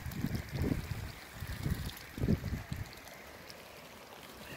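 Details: Low, muffled gurgling and thumping water sounds come in irregular bursts over the first three seconds, then quieter background, with no clear animal call.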